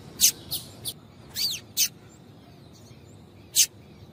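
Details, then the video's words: Calls of a female Double-collared seedeater, played to get males singing: irregular high, sharp chirps, one with a downward-sliding note, spaced unevenly across four seconds with quiet gaps. "Piado de Fêmea de Coleiro para Esquentar Coleiro"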